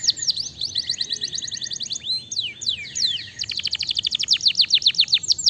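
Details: Canary song used to trigger an answer from other canaries: changing tours of swept whistles, rapid trills and looping notes, with a short slower section before a run of fast repeated high strokes.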